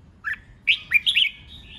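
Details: Red-whiskered bulbul giving 'hót ché' competitive fighting song, used to provoke rival birds into singing; a short whistled note, a brief pause, then a quick run of four bright, slurred whistles ending in a thin drawn-out tone.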